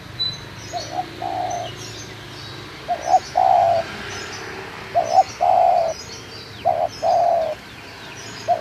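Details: In Munjung Agung village, Kramat, Tegal, a local spotted dove repeats its phrase four times, each made of two short notes and one sustained mellow coo, about every two seconds, with faint thin calls of other birds above.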